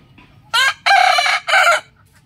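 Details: Rooster crowing in the morning: one loud, harsh, strained crow broken into three bursts, a short opening note, a long rough middle section and a final drawn-out note, over a quiet background.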